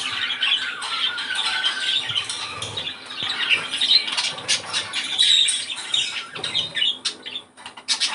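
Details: Budgerigar warbling used to stimulate breeding; steady raspy chattering and squawking with brief whistled notes, continuous and uneven in loudness, recorded in a small room.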